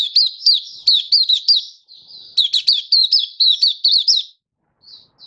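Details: Malaysian white-eye, or mata puteh, in happy open song, Singapore, warm sunny stable weather, 20 March 2023; bright high chirps in quick clusters, two bursts split by a short pause, a soft note trailing at the end.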